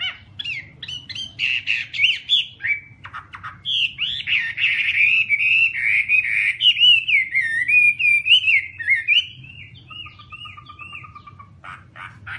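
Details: Long, continuous Chinese hwamei song of loud warbling whistles sliding up and down, with a fast run of repeated notes near the end and a brief lower trill.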